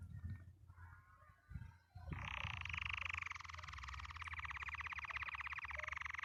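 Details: Canary singing happily, delivering a sustained, fast rolling trill of repeated notes that runs for about four seconds after a quieter start, over a steady low background hum.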